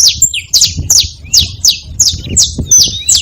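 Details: Saffron finch making noise at a feeding spot, loud sharp downslurred chips repeated at an uneven pace, a little over one per second, with thin whistled notes between them and a low background murmur.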